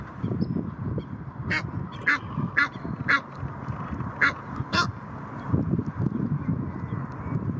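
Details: Aggressive Egyptian geese defending their territory on the Blies at Ludwigshafen am Rhein: a series of harsh, rasping honks in irregular bursts about half a second apart, over steady low rumbling water or wind noise.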